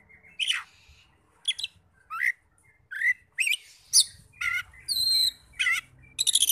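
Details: Oriental magpie-robin song used to provoke other magpie-robins into singing: spaced bursts of harsh, squawky and downslurred notes with one pure high whistle, over a low background hum.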